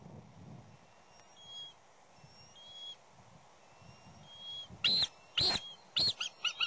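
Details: Bald eagles at the West End nest, where a third juvenile keeps returning and causing havoc between the chicks and parents. Faint high whistles come first, then a burst of loud, sharp, piercing notes repeated about every half second, over low rumbling background noise.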